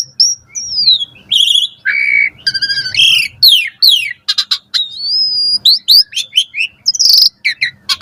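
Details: Morning song of an Asian pied starling, used for tutoring caged birds: an unbroken medley of slurred whistles, dense buzzy chatter and rapid falling strokes, closing with scratchy chirps over a quiet background hum.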